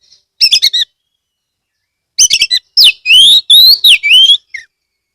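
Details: Oriental magpie-robin (kacer) in full song from Rejosari, Ambal, Kebumen, Central Java, Indonesia, used to lure other magpie-robins into singing; a short cluster of sharp notes, a pause, then a loud run of rich whistles and sliding slurs.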